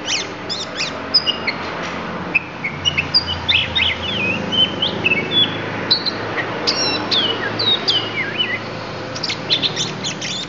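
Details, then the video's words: Oriental magpie-robin of the Lampung type singing isian, its learned fill phrases: a dense, varied run of sharp high whistles, slurred notes and quick chips, with short pauses between bursts over a faint low hum. "Kacer Lampung Keluarkan Isian"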